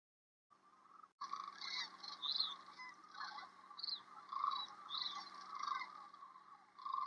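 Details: At sunset on the Platte River, Nebraska (Rowe Sanctuary), during March 2023 migration, many sandhill cranes gather on river sandbars to roost, giving a continuous chorus of rolling, rattling bugles overlapping without pause, over a faint steady hum.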